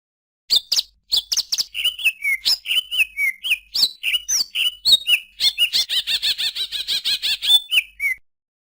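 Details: Song of a greater green leafbird, a varied medley of sharp chirps and short slurred whistles, dropping and rising, that ends in a rapid, even rattle of repeated notes.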